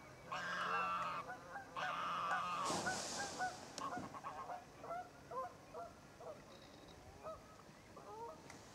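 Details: Red-necked Grebe at Diependal: two long, nasal, braying wails, then a stuttering run of shorter squealing notes, about three per second, with a brief rushing splash midway.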